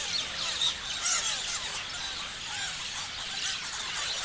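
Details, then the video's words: Many parrots chatter at once, giving thick layers of shrill chirps, squeaks and quick rising and falling twitters. The sound is steady throughout, with a few louder squeals standing out. "Parrots chirping sounds"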